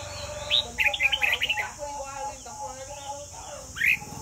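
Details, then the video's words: Red-whiskered bulbul in a Vietnamese singing contest delivers a fast run of sweet, chattering warbled notes, followed by quieter murmurs and a final rising whistled note, all over a steady hiss. "Chào mào Việt Nam win - indonesia, thailand phải chào thua !!!"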